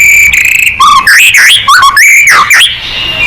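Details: White-rumped shama song played to provoke singing: a held high whistle, then rapid rich phrases of slurred, swooping notes rising and falling, loud and varied, ending in a fading tone.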